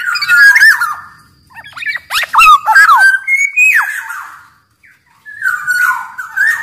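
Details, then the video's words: Black-naped oriole, a Sumbawa big-bodied kepodang, singing to lure and train caged orioles; rich whistled phrases mixed with harsh chattering notes and rapid slurs, then a renewed fluting run after a brief silence. "Burung kepodang gacor SUARA cocok buat PANCINGAN MASTERAN SUARA PIKAT TERAPI podang agar cepat gacor"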